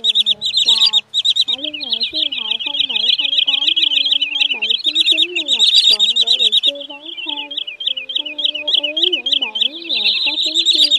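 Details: Common Greenshank and sandpiper calls played to lure migrating birds into night nets, August 2023: continuous chattering of high, clipped piping notes, with a singing voice and music added below.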